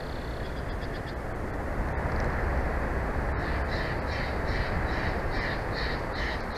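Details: Bald eagle at its Big Bear Valley nest, captured by a live nest camera on 4 June 2024 at 14:35, calls in a run of quick high piping notes, about two per second, with a couple of clicks, over constant wind noise.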